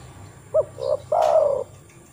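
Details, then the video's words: Single spotted dove phrase, played as a lure so other doves will call back: a short clipped note, a brief coo, then a long, steady, slightly falling coo, with a quick high chirp over it. "TEKUKUR TAK KUNJUNG BUNYI PUTAR SUARA TEKUKUR INI"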